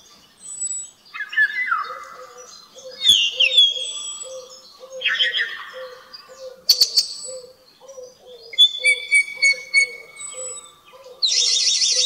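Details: Common blackbird in the temple courtyard of Agios Vasileios on the Island of Paralio Astros, Greece, 23 March 2017 at 12:45; low fluty warbled phrases with squeaky high twittering, over a steady series of soft low repeated notes throughout.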